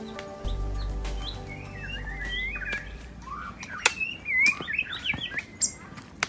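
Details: Magpie-robin singing vigorously, described as thunder-voiced: a run of varied, slurred whistled phrases rising and falling, then sharper, faster twisting notes punctuated by loud clicks, over a steady low hum.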